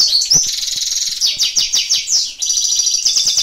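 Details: European goldfinch singing during live training, a quick run of high, tinkling notes, rapid downward slurs and buzzy trilled phrases, all rushing together with hardly a break.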